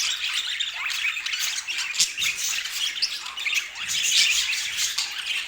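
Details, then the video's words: Several budgerigars twitter and squawk together, steady bright chatter with occasional sharp clicks and short upward-sliding notes. "O Som dos Periquitos"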